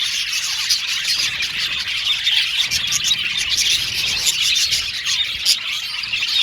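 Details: Steady high twittering from a colony of male blue and violet budgies kept in an aviary, many birds chirping and warbling at once with brief sharp clicks and squeaks scattered through.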